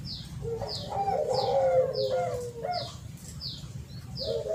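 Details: Spotted dove lure sound: a blurred, rolling coo phrase that swells and fades, with high descending chirps from another bird repeating about every half second.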